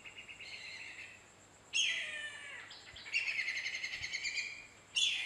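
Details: Whistling kite calling out for bones at a property before swooping in to take them, giving shrill, clear whistles that break into rapid, rippling staccato runs, repeated in bursts every second or so, with faint background hiss.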